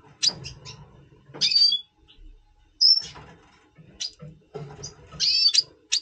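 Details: A double pastel red siskin before breeding, November 2023, mixes high tweets, buzzy twittering bursts and a brief pure whistle, with gaps between phrases and a low background murmur.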